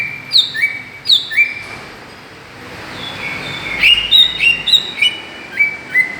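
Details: Greater green leafbird call used as a lure to provoke other birds: clear whistled notes alternating between a high downslurred note and a lower rising one, in bursts with a quiet gap midway.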